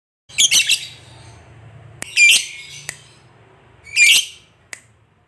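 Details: Lovebird, fighter type, used to get a lazy lovebird singing; a few harsh rasping squawks with short clicks between, over a faint low hum.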